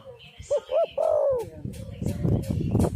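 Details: Spotted dove cooing, meant to lure doves and set them singing: two short loud hoots followed by a longer descending coo, then rough low background noise takes over.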